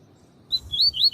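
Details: Double-collared seedeater singing the tui-tui song style, used to train and warm up males. After half a second of quiet, three high, clear whistled notes follow quickly, the last two longer and slurred, over a faint low background rumble.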